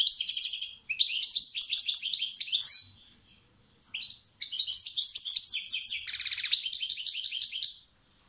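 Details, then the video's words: Singing European goldfinch, kept as a cage bird: long bright phrases of fast chattering, twittering notes and buzzy trills, with a brief gap near the middle, all high-pitched and hurried. "Saka kuşu konser veriyor maestro"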